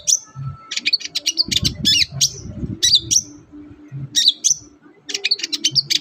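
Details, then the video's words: Long-tailed shrike song played as a lure to get quiet captive shrikes singing; rapid high chirps and sharp downslurred whistles in dense bursts, with short pauses and faint low thumps underneath. "pancingan ampuh cendet susah bunyi agar cepat gacor"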